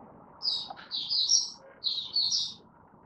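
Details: Softer, buzzy, high warbled phrases from a Malaysian Oriental white-eye kept as a hobby bird, two smeared notes in a second, repeated after a pause, over a faint low murmur.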